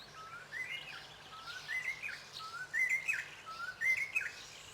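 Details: A White-browed Robin-chat (Cossypha heuglini) sings rich, whistled phrases in Southern Africa, each a slurred rising note and a quick flourish, repeated about every second and growing louder.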